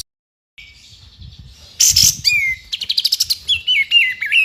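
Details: White-rumped shama song from a training recording of tembakan phrases for a champion bird's repertoire: a quiet start, then a loud burst, falling whistles, a rapid run of about ten clipped notes, and stepped warbling whistles.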